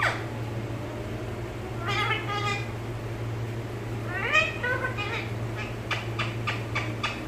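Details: Talking pet parrot in a home setting, mimicking Malayalam speech: two brief voiced phrases with bending, stacked tones a couple of seconds apart, followed by a quick series of crisp clicks, low electrical hum throughout.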